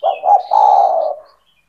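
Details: Caged spotted dove (tekukur) calling gacor, a recording meant to attract other doves to call along: two brief low coos, then a longer sustained coo. Faint high chirps from other birds sound in the background.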